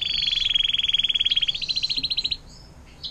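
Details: Canary singing the long 'air mancuran' (water fountain) song style, used to tutor white-rumped shamas, green leafbirds and long-tailed shrikes: a fast, even trill of bright pulses held for over two seconds, stepping slightly higher midway, then a short high note.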